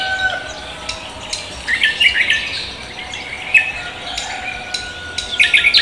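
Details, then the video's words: Morning song of a cucak kombo leafbird in full voice: scattered chirps and quick twittering notes, with thin steady tones running underneath. "cucak kombo koak kelapa gacor menyambut pagi"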